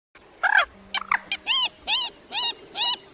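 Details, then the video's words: Rail calls from a lure recording used in August 2024 for night net trapping of migrating birds. Arched, nasal calls with strong harmonics repeat about every half second, preceded by a louder harsh opening note and a few shorter notes. "Tiếng Quốc Mốc , Cuốc Bèo"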